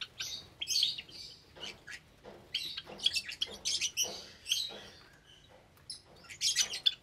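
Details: Java sparrow aviary on a Sunday morning in May 2022, with more chicks recently hatched; loud, rasping chirps and squeaks in clustered bursts from several birds, with short pauses between.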